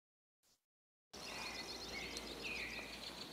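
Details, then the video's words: After a second of quiet, a Winter Wren's song bursts in: rapid, high, tinkling notes and thin whistled trills over a steady hiss. It is similar to the Pacific Wren's song but less shrill and less mechanical. "let's listen to the song of the Winter Wren."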